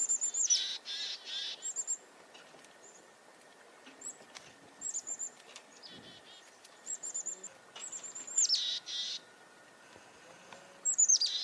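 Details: Chickadees raise the alarm over a nearby goshawk on a farm in February 2021. Fainter, scattered phrases of high descending chips and short rows of buzzy notes recur across the recording over a steady background hiss.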